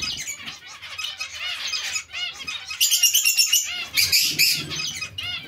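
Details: Zebra finch colony sharing space with Bengalese finches: a dense chatter of short stacked nasal calls, growing louder after three seconds into bursts of bright, rapid beeping notes, with soft wing flutters below.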